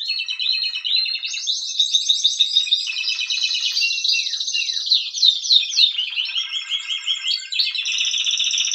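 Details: Spanish Timbrado canary, a 2023 novice, singing a long unbroken run of rapid metallic trills and rolls that shift pitch repeatedly, with bubbling, clapper-like pulses and occasional higher whistled strands.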